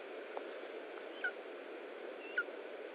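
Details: Lesser spotted eagle at an Estonian nest during feeding, 20 July 2012 at 15:45: two short, high, downslurred yelping notes about a second apart over steady broadband hiss.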